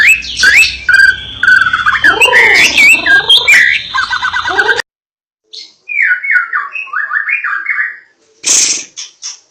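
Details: White-rumped shama, a Medan fighter bird, singing: rich whistled phrases with rapid warbled notes around mid-high pitch, a gap of silence, then a run of short repeated whistled notes and a few sharp clicks.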